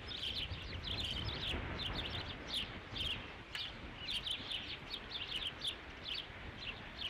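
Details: Ospreys on the Dunrovin Ranch nest, 3 July 2016, with the fifth fish delivered. Persistent high, piping chirps repeat several times a second in uneven runs, with low background noise.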